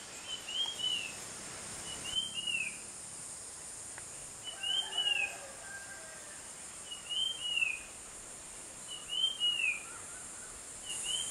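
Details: Tickell's blue flycatcher in the Konkan, likely a male of a pair, perched on a cactus and catching ground insects, gives short, high, slurred phrases about every two seconds, six in all, over a soft background hiss.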